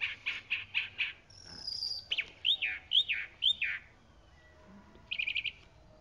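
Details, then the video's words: Singing chalk-browed mockingbird: a run of repeated harsh notes, a thin high whistle, then three repeated downslurred whistles and a quick rattled trill at the end. "Calandria Grande Canto - Calandria Grande - Chalk-browed Mockingbird Bird Song"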